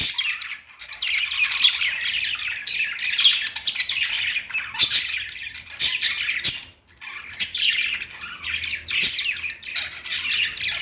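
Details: Perched budgerigars give bursts of buzzy, chattering song with rasping squawks, phrases separated by short gaps, a brief near-silent pause midway.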